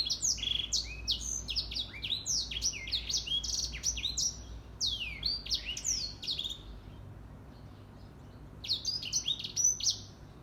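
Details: Morning song of a grey singing finch: long, fast-flowing runs of slurred whistles and downward sweeps, continuing for several seconds, then a pause before another lively phrase.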